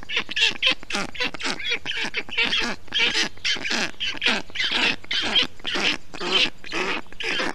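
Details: Storklets of the black stork calling in their Estonian nest on a hot June 2021 day while a parent cools the nest with wet grass, moss and water; dense run of rough, squawking notes, rapid and uneven, almost continuous.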